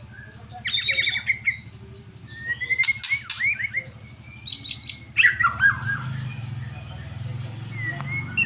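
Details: Fired-up white-rumped shama from the competition songbird hobby delivering a varied song: whistled slurs, rapid chattering trills and sharp harsh notes mixed together, with steady low-pitched hum in the background throughout.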